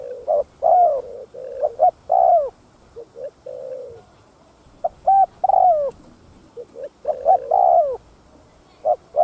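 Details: Spotted dove giving thúc gù coos meant to lure other doves: bursts of low, mellow hooting notes, several ending in downward-sliding drawn-out coos, separated by short pauses. A faint constant high whine sits in the background.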